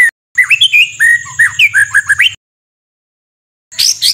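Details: Harsh 'tembakan kasar' white-rumped shama song with full fill-ins: a two-second string of varied rich whistles and slurs, then a pause and a brief high chattering burst.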